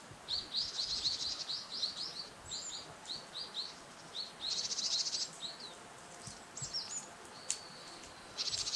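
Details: Wild Japanese tit heard on an autumn stroll near a river: rapid runs of thin, high chirped notes, interspersed with a few brief buzzy rasping bursts and sharp ticks, over steady faint outdoor hiss.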